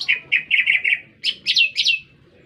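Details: Lesser green leafbird singing energetically in a city setting: five quick repeated chirping whistles followed by three louder, higher rasping slurred notes descending in pitch, no other sounds.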